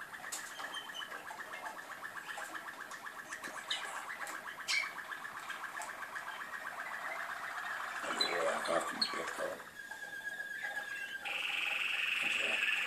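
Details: Malinois canary singing a continuous, rapid rolling trill of low bubbling notes, shifting through several tours, with a higher, steadier, harsher tone taking over near the end.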